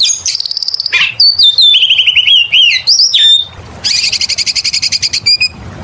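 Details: Oriental magpie-robin in full, persistent song, played as a lure to get other birds singing: loud, clear phrases of rapid high ticking trills, slurred whistles and buzzy notes falling in steps, ending in a fast pulsed rattle-like series.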